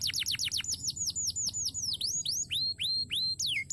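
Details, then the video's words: Crested canary sings rapid falling whistles that slow into longer notes rising and curving down, roughly three per second, bright and loud over a soft hum. "Burung Kenari Jambul Gacor Durasi Panjang"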